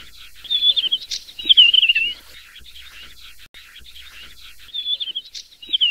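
Desert wheatear giving two bursts of high, scratchy, warbling notes, several sliding downward, separated by a quiet pause of about two seconds.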